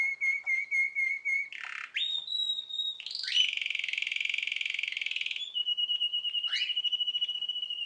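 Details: Canary about nine months old singing: a steady whistled tone near the start, then a harsh buzzy burst, a long rapid trill and a high sustained whistle, all clear and loud.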